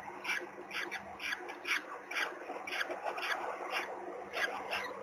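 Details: Peregrine falcon nest in Gdynia, Poland, on 16 April 2021, filmed by webcam while the third chick hatches: rapid, irregular series of coarse, grating calls, about two per second, over a continuous hiss.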